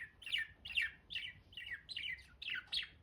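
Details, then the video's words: Pet budgies chirping: short warbled chirps sliding downward, repeated evenly about twice a second, against a faint low background hum. "Budgies sound || Chirpy Birds"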